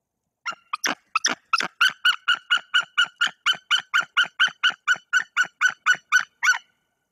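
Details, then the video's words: A nesting female white-tailed eagle in Bory Tucholskie repels an intruder perched above her. A few rough opening notes lead into a long, regular chain of loud ringing yelps, about three per second. "Bielik broni swojego lęgu przed intruzem"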